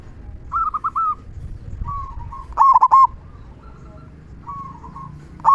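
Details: Local zebra dove giving its loud big "kung" song, used to stimulate quiet doves to sing: short trilled cooing phrases near one pitch, with a few louder stuttering "kung" notes breaking in between quieter stretches.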